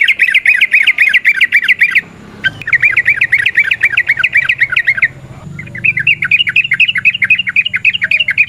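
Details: Long rapid 'ropel panjang' song from a wild yellow-vented bulbul, meant as a lure: three sustained runs of fast, chattering chirps broken by short gaps, over a faint low rumble.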